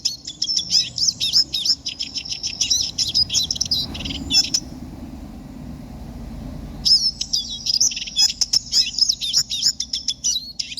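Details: Rapid, high twittering siskin song with buzzy trills and chattering notes, broken by a pause of roughly two seconds with a low rumble, then the warbling resumes just as busily.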